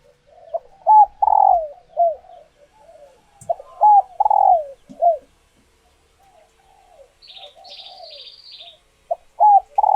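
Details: Spotted dove hens in laying condition giving calls that rouse males to coo and court; loud groups of falling coos with soft murmured notes between them, and a brief high chirping from another bird.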